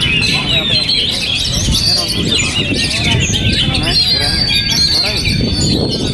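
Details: Song of a kept oriental magpie-robin in strong wind, a continuous tangle of high whistled notes, trills and rapid chirps, while gusts rumble and hiss in the low range.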